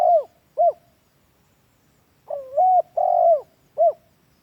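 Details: Spotted dove (tekukur) lure call, used as a master recording for training captive doves at home. Two short, low coos are followed by a pause, then a longer drawn-out double coo and a final short coo.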